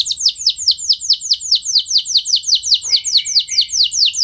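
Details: Canary song intended to spur other canaries into rolling song: an even series of high, downward-slurred notes repeated about four times per second, with a brief low note near three seconds.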